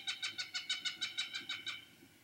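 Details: Cooper's hawk, adult or immature, giving a loud, harsh, rapid series of about eleven cackling notes, roughly five per second, fading toward the end with no other clear sounds.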